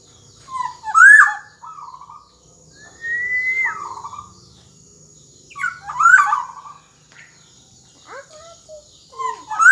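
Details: Black-naped oriole in full song, offered as tutor material for young orioles learning to sing: loud, fluty whistled phrases that rise then slur down, given in bursts every few seconds with quiet gaps, over a faint low hum.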